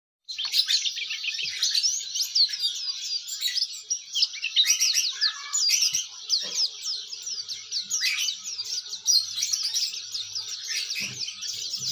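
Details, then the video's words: Oriental white-eye, an active 'gacor' bird, singing the melodious 'ngeriwik' style: dense, rapid high twittering of short sweeping notes, almost unbroken for eleven seconds with brief dips between bursts. "pleci gacor ngeriwik syahduuu"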